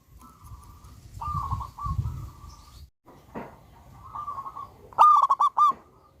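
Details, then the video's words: Local wild zebra dove with a loud voice, singing strongly, used as a lure recording: soft low coos, then one loud stuttering phrase of clipped rising notes near the end over a faint murmur of background noise. "Pancingan burung perkutut Lokal Alam super Gacor suara Besar"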